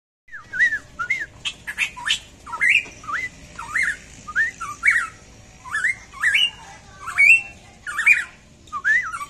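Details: Black-crested bulbul kept as a captive bird by hobbyist farmers, singing short, loud whistled phrases that rise and dip, each preceded by sharp clicks, repeated roughly every second across the recording over a faint background hiss.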